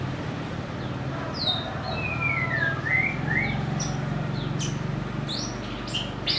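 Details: White-rumped shama, a popular cage bird able to mimic other birds, sings clear whistled phrases: a long sliding note falling then rising, followed by short sharp high notes, over a steady low hum.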